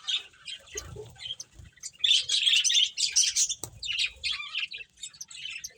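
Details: Several finches playing give dense, high chirps and tweets, quiet at first, then a busy overlapping burst of sharp notes from about two seconds on, with brief pauses and soft low thumps.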